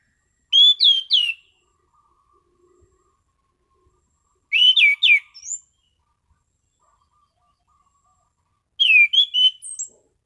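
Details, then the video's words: Orange-sided thrush delivering a consistent, relaxed song: three short phrases of rich slurred whistles spaced about four seconds apart, each ending in a thin high note, with quiet gaps between. "Burung Anis Cendana Ngeplong Santai"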